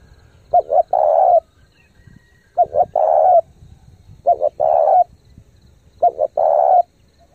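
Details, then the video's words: Spotted dove giving fast, intense cooing to rouse decoy birds and train young ones: four low, hollow phrases, each two short clipped notes and a longer drawn coo, spaced about every one and a half seconds, quiet background. "chim cu gáy thúc gù tốc độ căng lửa kích mồi tập bổi cực mạnh"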